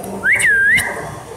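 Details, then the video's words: Ring-necked parakeet that talks like a person gives a single clear whistle. The note slides up, dips, and rises again over about half a second, over a background hiss. "Talking parrat like a people"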